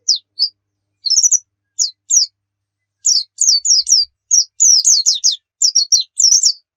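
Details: Spaced high chirps from a pleci open the phrase, then come closer together into quick bursts of bright, downslurred twitters. Used as training playback for kept white-eyes.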